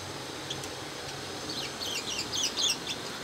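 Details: Pet budgerigars chattering while bathing; quick, high, warbled chirps cluster in the second half, several in a row, over a steady broadband hiss.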